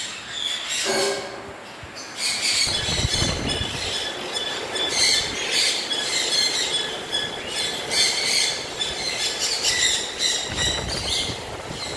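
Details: A steady high metallic squeal and rattling clatter, like train wheels on rails, fill the whole clip with no animal voice standing out.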